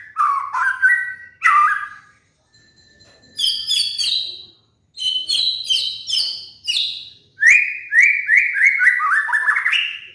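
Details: Kept White-rumped shama, recorded as a lure for training molting birds to sing, gives varied phrases: dropping whistles, high clear notes, then a fast run of rising slurred whistles.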